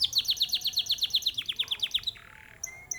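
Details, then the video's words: Competition-grade canary from a breeding farm in Mojokerto, kept for long-duration singing: a fast series of bright downslurred notes, about ten per second, then a buzzy rolling trill and a few sharp chips. "KENARI PRESTASI durasi edian"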